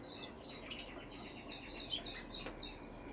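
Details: Brambling calls: a quick sequence of sharp, falling chirps in the upper register, evenly spaced, over faint constant background noise.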